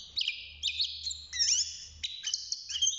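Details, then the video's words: European goldfinch kept in a cage, young bird at six months taking up song: sustained high whistles broken by fast twittering slurs, over a steady low hum. "الحسون بعد مرور ستة شهور أصبح يغرد"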